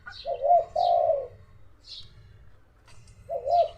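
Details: Excited dove calling close by at home in the hot early afternoon: low, mellow coos, then a pause and a new phrase starting, with short high chirps from other small birds between.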